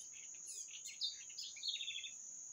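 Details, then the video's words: A quick lively run of high chirps and tweets from songbirds, ending in a rapid trill-like series, over a steady thin high whine. "Canto dos pássaros"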